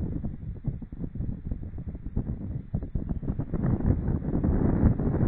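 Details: Gusty wind buffets the microphone in rapid, uneven low-pitched thumps that grow louder toward the end, with no animal voice.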